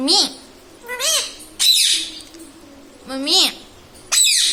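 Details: Indian ringneck parakeet, a pet taught to say mummy, papa and radhe radhe, utters arched, harmonic speech-like syllables alternating with harsh screechy bursts, roughly every second, indoors.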